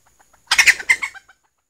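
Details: Female red junglefowl kept as a decoy lure, still calling after being startled: a loud burst of harsh, broken clucking notes lasting under a second, with soft faint ticks just before and after.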